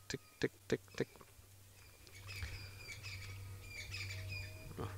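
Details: At sunrise on Galigo Pan, Djuma Game Reserve, a blacksmith lapwing, upset by a male lion drinking at its waterhole, gives four sharp, metallic ticks in about a second, then softer chatter from other birds over a low hum.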